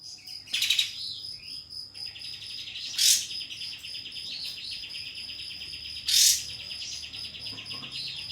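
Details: Pied fantail, used as a lure calling a rival so it spreads its tail and sings: loud harsh bursts about every three seconds between soft, arched whistled notes, over a steady high insect-like whine.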